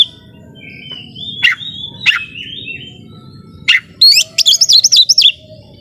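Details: Domestic Oriental magpie-robin in full song meant to agitate opponents: long gliding whistles and sharp upswept notes, then a fast run of high warbled, repeated phrases at the end.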